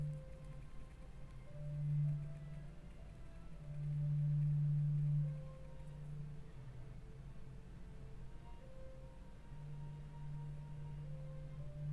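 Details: Only a low, steady humming drone with soft swelling tones, much like mallet music; no bird chatter is heard.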